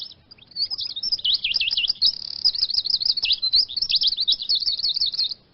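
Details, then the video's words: A Eurasian siskin twitters steadily for about five seconds in a fast, high, wavering run of trills and sweet warbled notes with brief pauses. "Iskete Finch Sound Effect"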